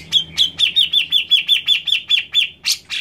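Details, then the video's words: Grey-cheeked bulbul song: a fast run of about a dozen sharp, downslurred whistled notes, evenly spaced around four per second, ending in two harsher, buzzier notes. "Cucak Jenggot Malas Bunyi ? Play Burung C.Jenggot Ini"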